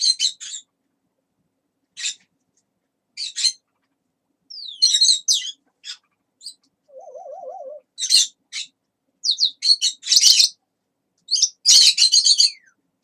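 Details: Pet talking parrot indoors making scattered bursts of high, harsh chirps and squawks with short whistled sweeps, plus one lower wavering trill midway, separated by silences.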